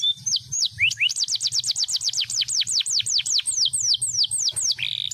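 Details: Crested 3-in-1 canary singing vigorously: rapid high, downslurred whistles repeated five or six times a second, starting with an upward sweep and ending on a steady held note, over a faint low hum.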